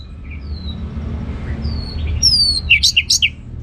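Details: Orange-headed thrush song from a bird kept for contests in Singaraja, North Bali. Faint whistles at first, then a loud burst of short, quick, rising and falling notes near the end, over a low background hum.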